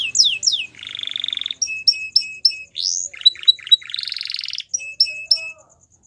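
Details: A wild Atlantic canary singing in the morning gives a fast, varied song: quick descending whistles, a buzzy trill, sharp repeated chips and rising sweeps, all high-pitched.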